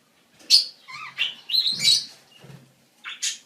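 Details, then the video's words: Budgerigars in breeding season, sounds played to prompt captive birds at least eight months old to breed: a run of short raspy chirps and warbles, some high and buzzy, others lower and nasal, in uneven bursts, indoors. "صوت تزاوج طيور البادجي"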